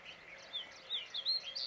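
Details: Brown rock chat (Oenanthe fusca), call.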